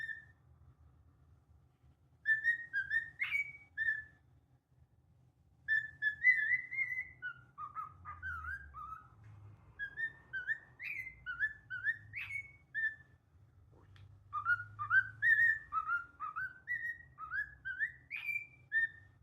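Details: A pet cockatiel in its moulting period whistles the PythagoraSwitch melody in clear, bouncing phrases with quick rising and falling notes.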